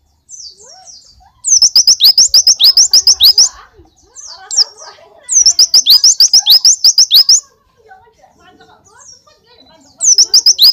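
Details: Oriental white-eye singing in the style called tembakan glatik full: dense bursts of rapid, sharp, high chirps about two seconds long, repeated several times with short quiet gaps and faint softer twitters between bursts.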